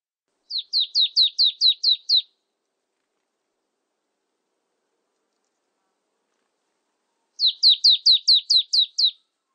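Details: Marsh tit repeating its call: two bursts of about eight fast, high, downward-sliding notes each, separated by roughly five seconds of silence.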